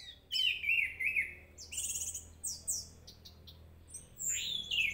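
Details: Orange-headed thrush singing in a lure recording intended to make a thrush emotional and vocal: a warbled whistled phrase, then harsh high buzzy notes and a final rising whistle, separated by short gaps.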